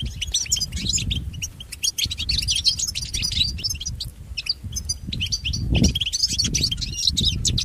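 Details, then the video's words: European goldfinch song for training pet birds: an energetic, nonstop twitter of high jingling notes with buzzy clusters, over low rumbling background noise. "Listen to Goldfinch's most famous motivations for training and education"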